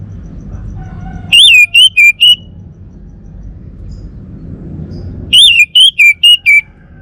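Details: Kept male orange-headed thrush of the Bali form repeating a fast whistled phrase twice, four seconds apart: a wavering first note then three or four short clear whistles dropping in pitch.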